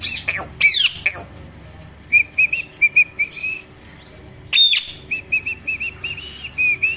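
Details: A pet Indian ringneck (rose-ringed) parakeet, talking, gives harsh squawks followed by runs of short, clear whistled notes in quick succession.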